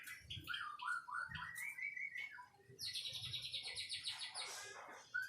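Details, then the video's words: White-rumped shama singing: a run of rising and falling whistled notes climbing in pitch, then a dense high, rapid trill of repeated notes near the end, heard fairly quietly over a low background rumble. "Kicau Murai Batu"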